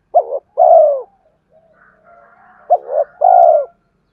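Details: Spotted dove song used to lure wild birds: two phrases, each a quick doubled coo followed by a longer, slightly falling coo, with faint soft murmuring notes between them in otherwise quiet surroundings.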